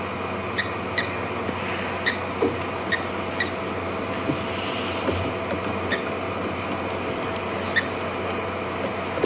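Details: A blacksmith lapwing, whose call is likened to a hammer on an anvil, gives sharp metallic 'tink' notes about a second apart over vehicle engine hum, at Djuma Game Reserve, South Africa, during an evening safari drive before sunset, 2 June 2015.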